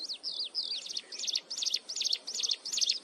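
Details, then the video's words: Continuous shrill song of a mountain wren, close by: it opens with wavering, slurred high whistles, then settles into rapid, evenly repeated piercing chirps with a fast up-and-down sweep. "Cận Cảnh Tiếng Hót Liên Hồi Chói Tai Của Chim Hồng Tước Núi"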